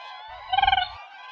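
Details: A single loud, throbbing, high-pitched call from a Siberian crane, rising out of steady background calling.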